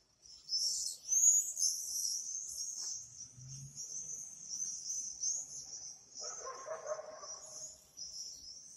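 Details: Several swifts giving shrill, buzzing high screams, loudest early, then a steady chattering trill over a brief low rumble and a short burst of noise.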